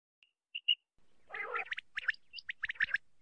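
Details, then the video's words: Common quail call: two short, clear high notes, then a soft gargling burst and a quick run of sharp, clipped notes. "Quail sound/ quail video Shikar/ quail video virals/ Common quail effects video/ quail ki hawaz"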